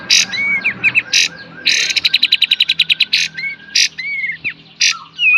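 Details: Kapas tembak, the cream-vented bulbul, singing 'beset' and 'tembak' phrases as a master song for cage-bird training. Loud harsh chips, a fast rattling burst of about a dozen clicks, and short rising whistles over faint background noise.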